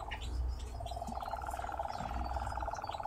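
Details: Nightjar singing while communicating with a person: after a short start, a steady fast-pulsed churring trill sets in and holds, with a faint low hum underneath.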